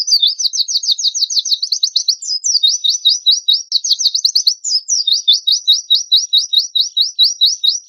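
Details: Oriental white-eye, a lively lure-song compilation of rough 'tembakan kasar' bursts used for tutoring caged birds: rapid buzzy high trills repeated in fast runs with brief sharp chips between, clean recording.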